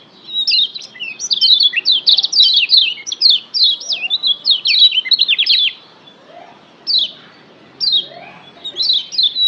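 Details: Lombok yellow white-eye (kecial kuning) master song for training pet birds to sing more fiercely: dense, fast chattering bursts of high, slurred chirps for six seconds, then spaced short phrases.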